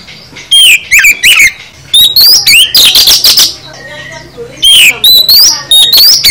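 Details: Oriental magpie-robin (kacer) singing a full 'isian' song: loud bursts of sharp whistled notes and upward-sweeping, buzzy phrases, with gaps of about half a second between bursts and a low background hum.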